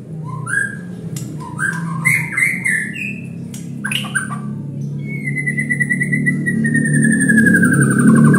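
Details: White-rumped shama being provoked to sing: varied whistled and chirping phrases in the first half, then a long clear whistle slowly falling in pitch, over a steady low hum of background noise.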